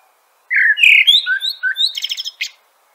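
A common blackbird sings one two-second phrase: mellow fluted notes slide up and down, then end in a rapid, high, squeaky twitter. No other sounds intrude.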